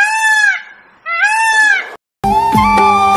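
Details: Several Indian peafowl visiting farmland with bean vines and potato plants: two loud, nasal, arching wails, each rising then falling over about half a second to a second, followed by background music.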